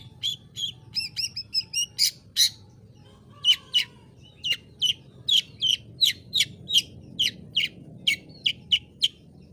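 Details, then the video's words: Long-tailed shrike in varied song: a run of squeaky chirps, then a long steady series of sharp, high clipped notes repeated about three times per second. "Burung Cendet Bunyi Santuy!!!"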